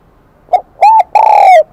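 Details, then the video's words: Spotted dove with the high 'kim đồng' voice, a newly caught bird, heard in part of a phrase: a short opening note, a rounded coo and a long, slowly falling coo, loud and clear. "Tiếng chim cu gáy giọng KIM ĐỒNG bổi nghe rất nhạy"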